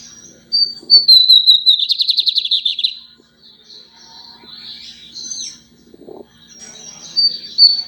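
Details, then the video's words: Lined seedeater singing a lot: thin high whistles slide downward, then a rapid buzzy trill of pulsed notes for about a second, followed by quieter scattered chirps and more drawn-out high whistles near the end, over a faint low hum. "bigodinho cantando muito"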